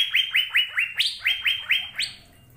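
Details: Song of an Asian fairy-bluebird, recorded to train caged birds to sing. Brisk repeated whistles slide upward and hold, about four each second. A few notes are pitched noticeably higher before the sequence fades out.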